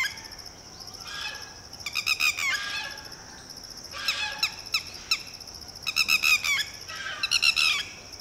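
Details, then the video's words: Red-wattled lapwing mother, with a newly hatched chick, a two-day-old chick and an unhatched egg, calling in panic as a shikra swoops low: bursts of rapid, shrill, strident notes separated by short pauses, with a steady high tone behind. "Red-wattled Lapwing fiercely protects her newly hatched chick"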